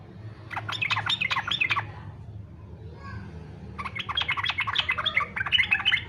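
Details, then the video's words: Yellow-vented bulbul in fighter style, a lure to make other bulbuls sing: a quick bubbly phrase of tumbling notes, a silent gap, then a longer and louder run of chattering whistles. "SUARA trucukan faghter cocok buat pancingan supaya trucuk ikut faghter"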